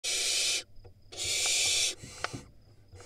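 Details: Wild barn owl nestlings in Israel, filmed by nest camera, scream at a sibling that reached the entrance: two long, harsh, hissing screeches, each under a second, separated by a short silence with faint rustling.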